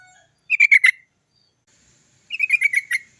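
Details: Trucukan (yellow-vented bulbul) singing to encourage other birds to sing: two brief bursts of rapid, warbling, bubbly notes, about four to six notes each, separated by a second of silence.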